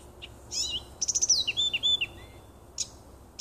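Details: A nightingale sings in a small wood in late June 2015, giving a single rich phrase of rapid clicks followed by a tumbling series of falling whistles, then a short break and a few sharp high notes.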